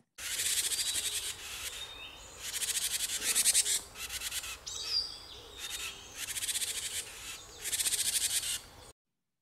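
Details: Japanese tit giving its snake-specific alarm while threatening and mobbing a Japanese rat snake approaching its nest box: harsh, husky buzzing "jar-jar" bursts, each under a second, repeated steadily for about nine seconds.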